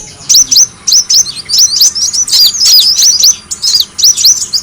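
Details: Brown-throated sunbird calls from a bird-luring track: sharp, very high squeaky chirps in short clustered bursts separated by brief pauses.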